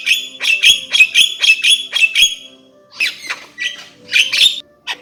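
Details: Javan myna giving a steady series of rasping squawks about twice a second, then softer scattered harsh notes and a brief rising whistle.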